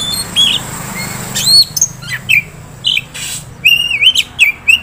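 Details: Oriental magpie-robin, a contest-prospect bird, giving scattered clear whistled notes, some rising and some with sharp upswept ends, separated by short pauses, over a low steady hum.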